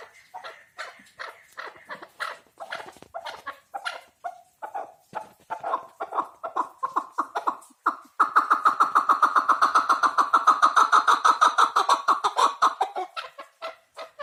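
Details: Chukar partridge starting with slower, irregular chuck notes, then breaking into a loud, rapid, even chatter of repeated notes for several seconds before fading to separate calls.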